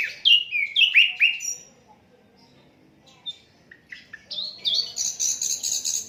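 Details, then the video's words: Song of an Asian brown flycatcher, recorded without editing as a tutor for cage songbirds: four quick falling chirps, a near-silent gap, then scattered notes leading into a rapid high twittering series. "Sikatan londo durasi 15 menit, Reall No editan, cocok buat masteran semua burung"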